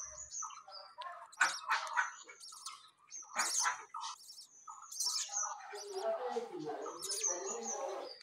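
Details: Budgerigars in a home aviary after new chicks hatched: overlapping sharp high chirps and buzzy squawks, giving way to a steady mumbling warble of lower twittering notes in the second half.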